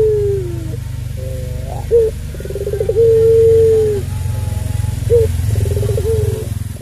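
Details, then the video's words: Long-voiced puter pelung dove used to provoke other doves: low falling coos, pulsed trills and a sustained note, partly masked by a loud droning low hum. "Puter Pelung Suara Panjang"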